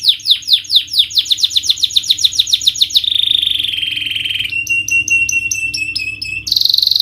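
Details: Canary song meant to coax a reluctant bird into singing: quick repeated falling chirps, then a sustained buzzy trill, shifting to a lower rattling trill and ending with a higher buzzy phrase.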